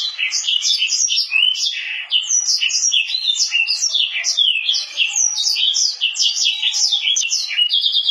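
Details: Hybrid of Mozambique canary and canary pouring out an unbroken, fast, jumbled warble of chirps, slurred whistles and trills for the whole stretch, with no pauses and no other sounds.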